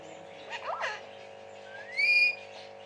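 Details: Pet talking parrot from West Bengal: a few short speech-like syllables, then a loud clear whistle rising steeply and held briefly before stopping, over a steady low electrical hum.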